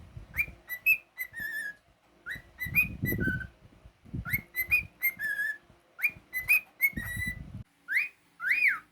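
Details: Pet cockatiel repeating the same whistled tune about six times, each a run of rising and falling bright notes ending on a held tone, over low thumps and handling noise, with a closing upward-swooping whistle.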